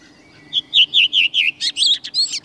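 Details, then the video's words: Redwing song with a slightly odd dialect: five quick, slightly descending whistled "tru" notes, then a burst of higher, scratchy, squeaky twittering, the typical thrush squeak. "det nog ändå så här den låter, rödvingetrasten."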